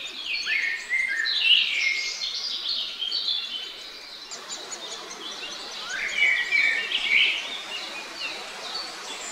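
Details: Parent great spotted woodpeckers caring for young: bursts of high, jumbled chirping notes at the start and again near six seconds, with quieter calling between, over steady background noise.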